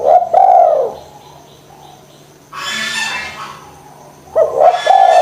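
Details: [['Spotted dove lure for coaxing doves to call: a hoarse drawn-out coo, then a burst of harsh rustling noise, then coos resuming near the end.']]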